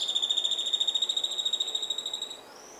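Black-cheeked Gnateater giving a high, even-pitched buzzy trill of about a dozen pulses a second for over two seconds, ending with a faint higher note.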